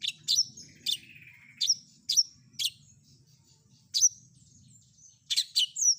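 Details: Long-tailed shrike combination fill-in song for training caged birds: spaced sharp high whistles and clicky notes in small bursts, separated by pauses, with a faint raspy note early on.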